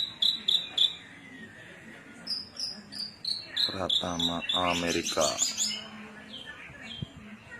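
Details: Cilacap Javan bush lark in cing ciu style: a few high chirps, a series of falling whistles, then a dense rattling chatter before softer notes trail off.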